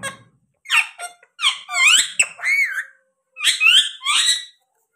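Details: Pet parrot, tagged as a lovebird, indoors in a small room: a string of squeaky, chattering and warbled notes with bending rising and falling tones, grouped in short bursts with pauses between.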